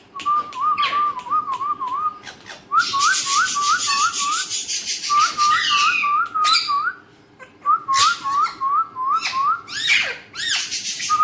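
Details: Alexandrine parakeet kept indoors whistling a repeated wavy phrase, rippling up and down rhythmically several times over, interleaved with bursts of raspy squawking.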